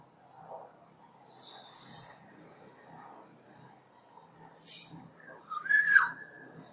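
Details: Black-naped oriole, Oriolus chinensis, which can give many calls in succession: soft scattered notes, then a louder nasal, slurred call near the end over low background hiss.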